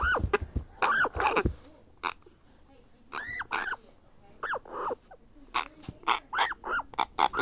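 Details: Grey parrot hatchling begging while being hand-fed. Groups of rasping, arched cries come after a quiet pause and quicken toward the end.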